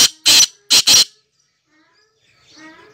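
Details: Black francolin (Sindhi kala tetar) calling: a short series of four loud, harsh, grating notes grouped in pairs, followed by quiet faint sounds and a soft voice-like murmur.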